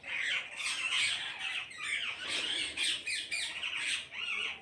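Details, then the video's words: A flock of parrots calling together, a dense, continuous chorus of harsh, high squawks that overlap without pause, rising and falling in loudness every second or so. "கூட்டமாக கிளிகள் சத்தமிடுகிறது"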